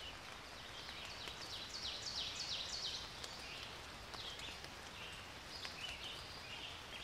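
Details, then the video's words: Yellowhammer song: a quick run of thin, high, repeated chirps, fairly faint against steady outdoor rustling and background hiss. "Пение птиц - Овсянка"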